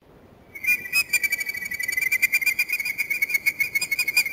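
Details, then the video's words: A pair of American oystercatchers in courtship display at Mantagua, Valparaíso, Chile, in September 2006 give loud, shrill piping: a rapid, steady run of high whistled notes, several each second, over faint background noise. "American Oystercatcher courtship display"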